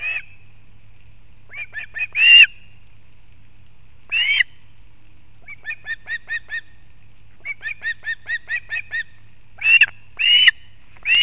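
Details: Osprey mother with fish for her chick, nest in Kurzeme, Latvia, August 2024: loud slurred whistles alternate with bursts of five to seven quick, even piping chirps, set against silent gaps and a faint low hum.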